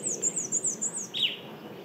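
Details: A migrant Black-and-white Warbler working tree bark at Mount Auburn Cemetery, Cambridge, Massachusetts, in spring gives a thin, very high warble of about six squeaky two-part notes at a quick even pace, ending with a lower slurred note.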